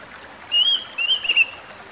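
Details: Oriental magpie-robin (kacer) singing, used as recovery audio for stressed birds: a smooth whistled note followed by a slightly warbled, wavering whistle, clear and loud over soft background hiss.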